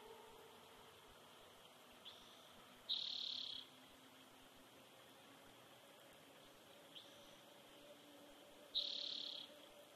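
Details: Bald eagle eaglet alone in its nest at Big Bear Valley on a nest camera, 7 June 2019, after its nestmate died. Two loud, drawn-out high piping calls about six seconds apart, with faint quick chittering notes between them over a steady background hiss.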